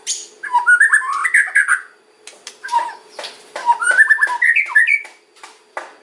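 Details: Lure song of a white-rumped shama in kretekan and ocean style: lower mellow whistles and warbles interspersed with dry ticking notes, several short phrases separated by gaps.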